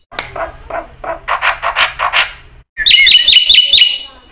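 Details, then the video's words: Black-winged myna in full, energetic song, used as a lure to train other mynas: a run of harsh, raspy chattering bursts, a brief pause, then a quick series of sharp, bright whistled notes with squeaky overtones. "suara jalak putih gacor full isian ini pancingan masteran burung jalak bengong"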